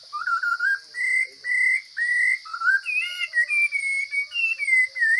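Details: Forest-dwelling Chinese hwamei singing strongly, with long even whistles at first, then quicker, higher, wavering phrases, while a thin constant hum runs behind.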